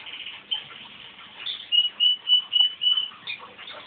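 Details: Crossbred pet male canary in song, set going by a whistle from his owner. Quiet twittering gives way to a series of five pure, level whistled notes repeated about every third of a second.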